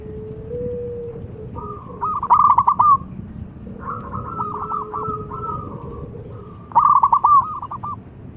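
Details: Local zebra dove song used as a lure for trapping wild birds: repeated phrases of soft, rolling, bubbling coos, each with a stuttering trill, about every two to three seconds over a low background rumble.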